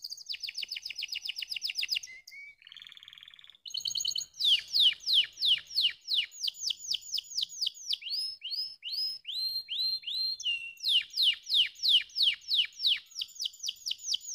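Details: Canary singing in lively tours: fast high trills, a brief pause with softer chattering notes, then loud rhythmic repeated whistled syllables and rolling trills, many notes each second.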